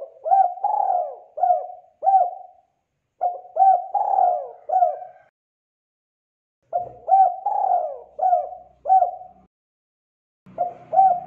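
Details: Spotted dove in full, vigorous song, used to train young doves to sing along: mellow cooing phrases of four or five notes, each phrase repeated after a pause of about a second or more, on a quiet background.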